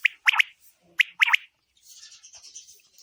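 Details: A calling female quail, as used when hunting quail, gives two sharp chirping bursts of two to three rapid notes about a second apart, followed by faint high hissing noise.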